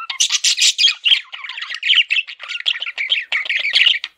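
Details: Pet male parakeet (budgie) chirping in a dense, rapid run of raspy notes and short tweets, delivered almost without a break for four seconds.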